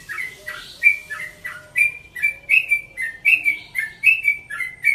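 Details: Yellow-vented bulbul, about one and a half years old and kept in a cage in Bekasi, giving a relaxed dawn song: a lively series of liquid chirping whistles, about eighty a minute, with faint low tones behind.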